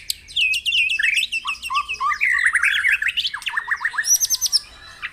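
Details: White-rumped shama singing in the morning to rouse caged birds into song: rapid chattering high phrases, then lower rising whistled strokes in quick series, closing with a brief high trill and a faint single note.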